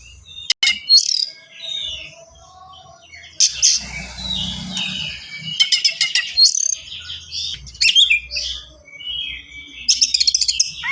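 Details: Kacer, the Oriental magpie-robin, singing a fast gacor song with unusual fill phrases for tutoring young birds; loud clicking rattles and chattering bursts alternate with short high whistles over faint low hum.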